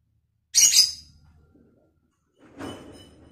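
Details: Piercing lovebird squawk with a rough double pulse, then a softer, lower, hoarse call two seconds later. The bird is in vocal training.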